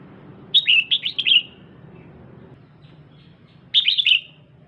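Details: Excited female red-whiskered bulbul urging on a male, giving two bursts of quick, bright, warbled chatter, each note sliding downward, about three seconds apart, over a quiet background.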